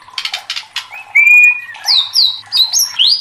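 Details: Agitated murai batu, the white-rumped shama: a few harsh scratchy notes, a long steady whistle, then several bright upswept whistles climbing higher.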